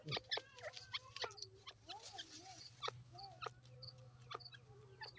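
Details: Several grey partridges playing in mud give soft, short chirps and curved whistled notes in quick succession, with scattered clicks over a steady low mechanical hum.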